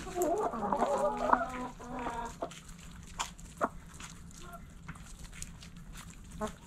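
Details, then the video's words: Backyard coop hens giving a loud burst of layered clucks and squawks at the start, then sparse quiet clucks and taps against a faint hum. "Backyard Chickens In The Coop Relaxing Video Sounds Noises Hens Clucking Roosters Crowing!"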